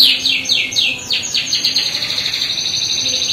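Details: A short run from a canary's rolling lure song, given to provoke other canaries: five or six descending whistled slurs in quick succession, then a smooth continuous high trill.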